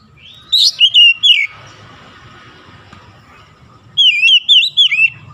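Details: Oriental magpie-robin (kacer) in morning sunlight, two bursts of loud whistled notes, the second a run of five quick looping, dipping whistles, with a low hum behind.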